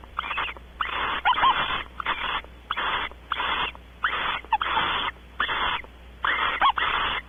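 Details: Barn owls mating on a porch, Audubon Starr Ranch, California: a steady series of harsh, breathy screech bursts. Each lasts about half a second, with roughly ten in quick succession and short quiet gaps between.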